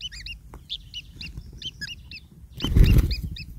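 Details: Hungry long-tailed shrike chicks awaiting their parent's catch utter scattered short raspy chirps, then a loud low fluttering or rustling burst near the end.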